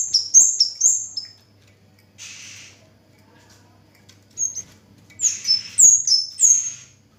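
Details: Orange-headed thrush (kemade or cigen) singing tirelessly. High, sharp whistles with stepped, falling pitch come at the start, then a soft rustling burst and a pause. The song ends with a fast, lively series of ringing, alternating whistled notes.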